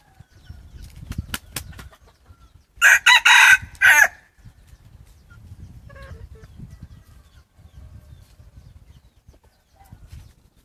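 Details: Decoy cock of red junglefowl giving a loud, harsh crow broken into several short bursts over about a second, in an otherwise quiet setting with faint low rumble and a few clicks.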